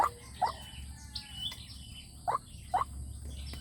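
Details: White-breasted waterhen lure recording for a loudspeaker to draw wild waterhens: short rising nasal notes in irregular clusters, one pair, a pause, then two more, over steady low hum and faint high chirps from other birds.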